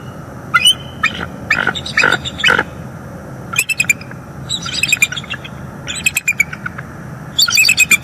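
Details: Bald eagles, a mating pair at a northeast Florida nest on an October 2021 morning, caught on a live cam; rapid, squeaky chattering bursts of sharp high notes in irregular clusters over eight seconds, with background hum.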